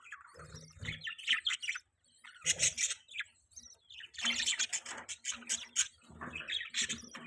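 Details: Budgerigar chirping and chattering: grating, buzzy bursts and quick high chirps in uneven runs, with a low hum underneath at times.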